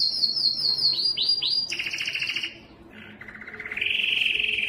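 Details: Singing yellow canary: a high quick trill leads into a few swooping notes and a fast lower rattle, then after a short gap a rising buzzy trill held to the close.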